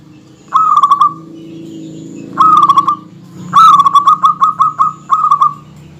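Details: Local zebra dove (perkutut) giving its dense song to provoke rival males: three bursts of fast, rolling coos, short, short, then a longer phrase of about eight pulses; low background hum.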